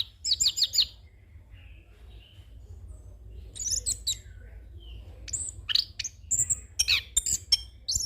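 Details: Training and lure song of a young orange-headed thrush, rolling with many fill-in phrases: a rapid trilled burst, a quiet pause, then scattered high whistles and chattering notes building toward the end.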